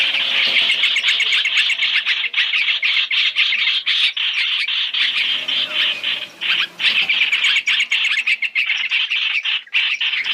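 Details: Lure for trapping Chinese hwamei, three calls in one: steady harsh squawking chatter, rapid and uneven, softening briefly near the middle before strong scratchy bursts return.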